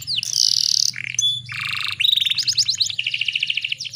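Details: Canary, played as a female-canary lure to stimulate males to sing; varied high passage of buzzy trills, a short whistled note, rolling chattered phrases, then a steady fast trill, over a low background hum.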